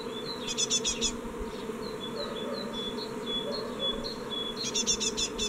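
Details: Young great tits leaving a nest box, 14 May 2017, only one departing; buzzy rapid note bursts open and close the passage, with soft, thin high whistles between them and a steady low hum behind.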